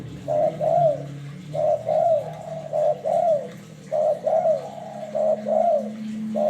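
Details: Spotted dove used as a lure bird for trapping, giving soft low cooing phrases of two or three notes, repeated about once a second with short gaps, over a steady low background hum.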